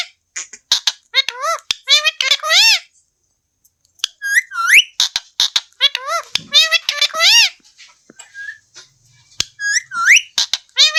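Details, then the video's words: Green parrot said to be talking, giving bursts of rapid, buzzy, harmonic chatter with quick rising and falling sweeps and whistle-like notes, mixed with sharp clicks and brief silent pauses near four and nine seconds. "Talking parrot"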